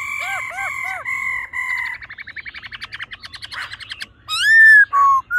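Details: Laughingthrush pair, the male singing in a wild, mature-voiced style: held whistles with looping notes, a long accelerating rattle of clipped notes, then loud rising and falling whistled phrases.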